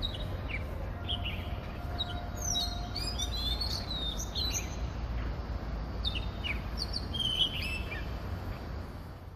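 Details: Oriental magpie-robin singing in Hong Kong, a melody of varied notes: scattered clear whistles and slurred high phrases with pauses between them, over a steady low rumble. A monotone bulbul calls in the background. Recorded on a phone voice recorder.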